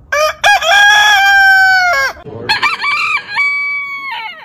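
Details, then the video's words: Two crows from heritage-breed roosters: the first loud, full and held steady for about a second and a half, the second higher and more broken, stepping up and then dropping at the end. "Biggest ROOSTER CROWING compilation more than 100 heritage Rooster Sound ! Ayam Berkokok ไก่ขัน"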